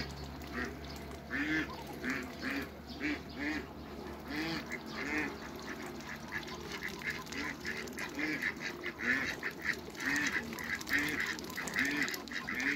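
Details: Hybrid Cayuga and female Muscovy ducks greeting each other; quick, uneven quacking continues throughout, with a steady low hum underneath.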